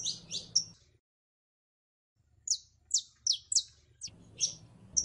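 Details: Calling female canary in heat summoning a male to mate: three quick high chirps, a silent pause, then a series of six sharp descending chirps with faint low hum behind.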